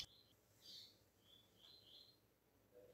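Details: Double-collared seedeater delivering tuí tuí style deep song for young and brown birds to learn: a click, then several separated high whistled phrases, sharp and slightly buzzy, spaced through the clip over faint hiss.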